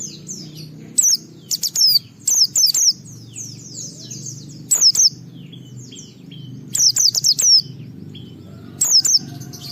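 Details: White-eye singing used to provoke other white-eyes: scattered runs of shrill, high falling whistles, each run of a few notes, with faint twittering between and a low hum behind.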